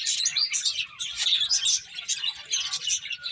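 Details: Constant high twittering from finches eating, a crowded patter of bright chirps and tiny trills with only slight swells in volume.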